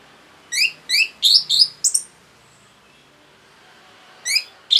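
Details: Orange-headed thrush in rapid song used to stir other birds: a run of five or six sharp, stacked chirps in quick succession, a long quiet gap, then two more chirps at the close.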